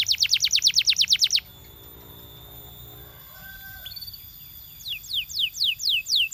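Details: Champion canary song: a fast burst of descending whistled notes, a pause with faint tones, then resumed swooping descending notes at a steady pace.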